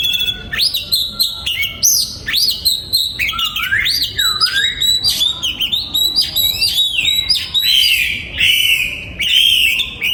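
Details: Oriental magpie-robin kept in a breeding aviary, 2022, sings a long varied song. Bright whistled slurs, upward swoops and quick chattering notes follow one another almost without a break.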